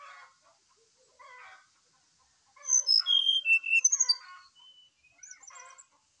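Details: Brown-chested jungle flycatcher in excited morning song, used as a lure for another bird: soft low chattering bursts, then a loud cascade of sweet, high whistles falling in steps, with more twittering afterward.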